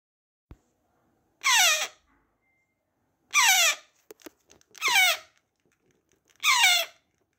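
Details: A 68-day-old African grey parrot chick begs at feeding time with harsh, raspy squawks that slide downward, four calls about every second and a half, with faint clicks between.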